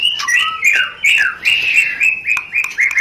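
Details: White-rumped shama rencetan used as a lure to trigger mating: a quick series of short whistled notes, each sliding downward, repeated about every quarter second, with crisp clicks between them.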